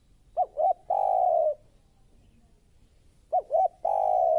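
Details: Spotted dove, a lure bird for bird trapping, calls twice: a pair of quick curved notes followed by a long steady coo, separated by a pause of about two seconds.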